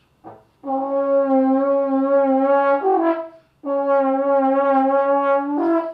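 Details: Two long, steady horn notes, each holding one low pitch for about two seconds before stepping briefly higher, with no animal voice.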